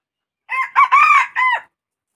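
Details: Red junglefowl crowing: a single four-part phrase, a short opening note, a clipped second, a long sustained middle syllable and a falling final note, all over about a second, against silence.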